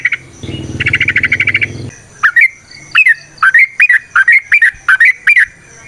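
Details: Yellow-vented bulbul song used as a lure, a long continuous performance: after a buzzy low rattling burst, a run of quick bubbly phrases, each a sharp dip and rise, repeated about twice a second.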